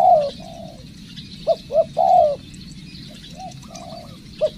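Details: Training decoy spotted dove coos unevenly: a long coo, then a pair of short notes and a sustained coo, later softer coos and one last short note. Insects hum high in the background.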